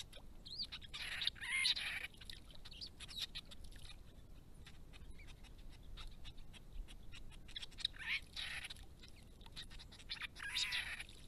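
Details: White-browed babblers, restless, noisy and querulous birds, at a pond with native grasses and open understory: two bursts of squeaky, high chattering notes, one near the start and one near the end, with quieter rustling between.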